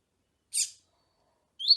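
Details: Double-collared seedeater of the tui tui song style, with female calls meant to excite the male: a brief harsh burst, a pause, then the start of a high rising whistled phrase.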